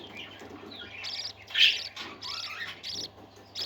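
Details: Pet parakeets singing together: busy, buzzy warbles and short chirps in overlapping bursts, one louder squeaky note near the middle, with a low hum underneath.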